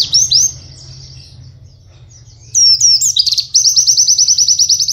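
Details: White-eye kept as a cage bird, singing tutor song meant for training other white-eyes, with rapid canary-like bursts: high thin slurred notes, a pause, then a fast even trill of repeated high chirps near the end.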